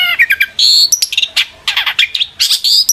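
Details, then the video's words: Long-tailed shrike in full, energetic song used to provoke other shrikes into answering: a dense run of high chirps, buzzy bursts and whistled notes, packed tightly with short pauses, with no other sounds. "burung cendet gacor FULL EMOSI pancingan CENDET AGAR NYAUT"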